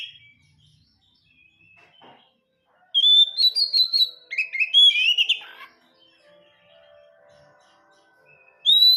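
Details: Home-kept Oriental magpie-robin: a near-silent stretch with a faint hum, then a three-second burst of bright whistled notes and scratchy chips, quiet again, and a sudden high clear whistle at the very end.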